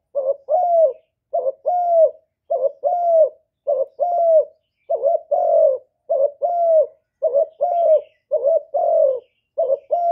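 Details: Spotted dove calling persistently, recorded free of background noise for use in stimulating kept doves; about nine evenly spaced two-note coos, a clipped first note and a longer downslurred second, with no other sounds.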